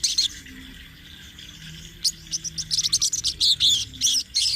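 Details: Sunbird in energetic rolling song, used as a training master for birds; after a brief pause, loud high tinkling notes tumble rapidly together in a dense, slightly uneven run.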